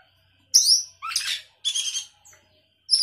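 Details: Sooty-headed bulbul in lively isian-filled song: a sharp high downslurred whistle, then two scratchy buzzy chattering phrases separated by short pauses, ending with another bright high note.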